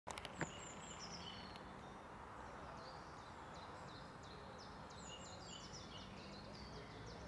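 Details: European robin singing on the castle plateau in Ljubljana on 25 March 2023: thin, high, rapid warbling phrases of short sliding notes, quiet against a steady rush of distant traffic or wind.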